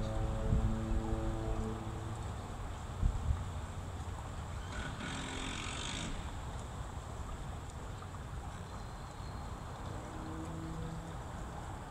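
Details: No animal voices, only a low droning hum with steady tones, a brief hissing rush midway, and a few soft knocks early on.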